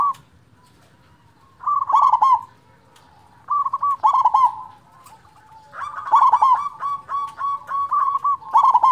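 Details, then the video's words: Zebra dove, local bird with a strong voice, recorded as a master song for quiet doves; after a near-silent start, bubbling trilled coos come every couple of seconds, then a longer run of repeated coo phrases. "perkutut lokal suara besar cocok untuk pancingan perkutut malas bunyi"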